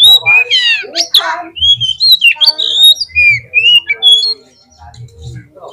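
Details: White-rumped shama song played to make a bird sing: buzzy rattling notes followed by a flowing series of clear whistled phrases, with faint low thumps and a quieter end.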